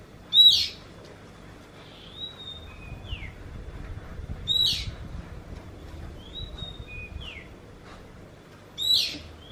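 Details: Oriental magpie-robin with a call likened to a kitten meowing; a phrase repeated about every three seconds, a sharp high upward note followed by gliding downslurred whistles, against a faint low hum.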